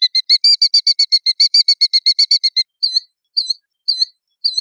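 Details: Killdeer gives a long, rapid, rattling run of some twenty sharp notes lasting over two seconds. It then breaks into several slower, separate, slightly falling call notes.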